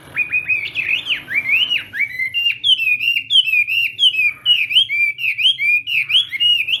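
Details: Chinese hwamei in a morning singing session training its competition voice: rich, loud whistled phrases, sliding notes that rise and fall, delivered in a rapid continuous stream with brief breaks between phrases.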